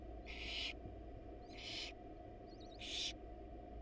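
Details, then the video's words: Wild barn owls at a monitored nest box as a male drops off a rat for the nestlings while the female is away; three harsh, breathy hissing screeches, each about half a second long, against a steady low hum. "Male barn owl drops off rat but Mom is not home."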